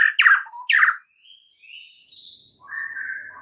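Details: White-rumped shama in morning song: two loud downslurred chattering notes followed by soft high sliding whistles and a steady whistled tone.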